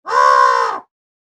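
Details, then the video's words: A pied crow gives one harsh, rasping caw, held level for nearly a second before fading, with nothing else heard. "African Pied Crow Single Call"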